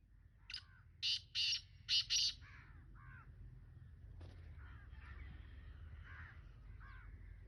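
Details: Distant-sounding black francolin (kala teetar) call: a short note then four harsh, rasping syllables in two pairs, followed by softer calls from other birds and constant background noise.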